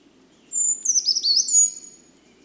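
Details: Brown Creeper singing in campus woods in spring: a thin, very high phrase lasting about a second, a drawn-out opening note, then quick tumbling squeaky notes and a high end. Faint low hum behind.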